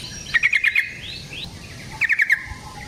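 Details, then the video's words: Yellow-vented bulbul phrases from a lure meant to set off bulbul song. Two quick runs of four or five clipped, chirpy notes, a second and a half apart, with faint sliding whistles between them. "Suara Burung Trucukan GACOR ROPEL Panjang Ampuh Untuk PANCINGAN TRUCUK"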